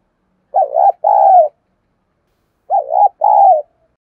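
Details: Caged spotted dove used as a decoy in Vietnam to incite wild doves: two mellow two-note coo phrases roughly two seconds apart, each a wavering opener then a long even coo, no background sounds.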